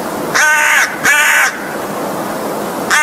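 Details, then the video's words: An American crow gives two harsh, hoarse caws about half a second apart, then a third begins just as the recording ends. "crow's song!!!"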